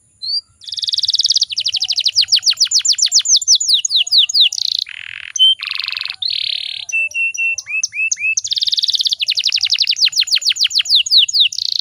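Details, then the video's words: A female canary, used as a lure to provoke males into singing, sings a long, high, continuous run of fast rolling trills, buzzy rattles and short clear whistles, with no other sounds. "PANCINGAN KENARI BAHAN AGAR CEPAT BUNYI"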